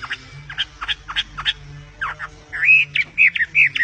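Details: Bird song of short, sharp downward notes in a loose series, then slurred, rising whistled phrases, with a low steady hum underneath.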